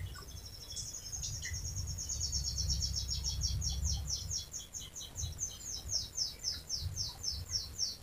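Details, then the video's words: Canary singing a long rolling song, used to prompt other canaries to sing; high, rapidly repeated chirping syllables form steady trills across the whole stretch, over a low rumbling background hum. "Suara Burung Kenari Gacor Panjang cuit cuit Ngerol untuk Pancingan Kenari"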